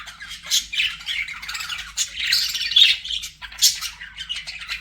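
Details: Pet budgerigars warbling in a rough, buzzy chatter mixed with squeaky rising notes and sharp high chirps, in uneven bursts that swell and fade over a faint steady hum.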